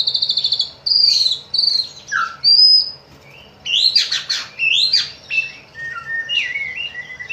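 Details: White-rumped shama singing, meant to provoke other shamas into song: high thin whistled notes and slurs, a sudden harsh burst, then clipped chirps and descending whistles with gaps between phrases.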